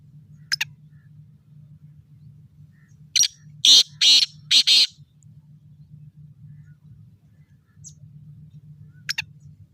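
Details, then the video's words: Black francolin kept in a cage, in high spirits and calling. There is a brief note, then a loud run of four coarse, buzzy notes near the middle and another short note near the end, over a constant low electrical-sounding hum. "Chakri Wala Bhot Achi Nasal Ka Teetar Masti Our bolai karty howy"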